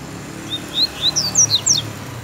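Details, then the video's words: Tiziu-style song of a kept coleiro, or Double-collared Seedeater: about seven sharp, high whistled slurs in a fast series, each note sweeping up or down, over a low steady hum. "COLEIRO SONIC DE JÚLIO TIZIU"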